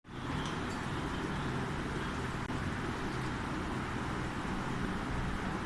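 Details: No animal is heard, just a constant roar of road traffic or engine noise that starts abruptly and holds even for the whole stretch.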